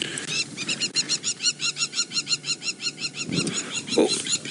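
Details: Lapwing in a South African game reserve in November, very upset by a lion pride passing nearby, possibly with a nest close by and threatening to dive-bomb. Rapid, sharp, repeated metallic calls about five per second over vehicle rumble.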